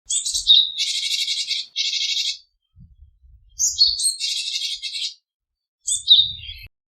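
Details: Japanese tit calling: a thin high note, then harsh, buzzy rasping bursts, given in three separate phrases roughly every two to three seconds, with faint low thumps beneath.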